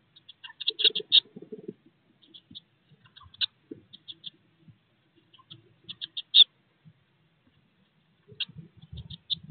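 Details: Sixteen-day-old Eurasian blue tit young in their nest box, near leaving: sharp high cheeps come in quick clusters separated by short pauses, with faint scraping and rustling below.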